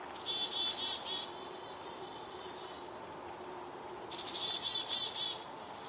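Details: A black-capped chickadee scolds a barred owl in the shade of a maple tree in Vancouver, BC, Canada. It gives two bursts, each a thin high note then a quick run of harsh, buzzy dee-dee-dee notes, over a low hum.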